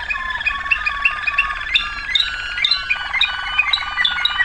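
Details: Waterslager canary from 2009 singing quick repeated chirped notes, then a deeper rolling, water-like trill.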